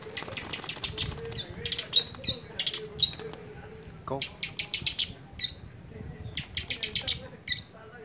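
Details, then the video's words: Long-tailed shrike, a lively singing bird, giving bursts of harsh, rapid high chattering notes with short buzzy sweeps, delivered in irregular clusters separated by brief pauses; a low hum runs underneath. "Burung Cendet Gacor"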